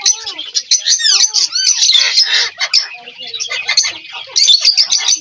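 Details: Indian ringneck parakeets, kept as talking parrots, give a sequence of downward-sweeping whistles followed by loud rasping squawks and rapid clicking chatter, ending in more harsh screeches.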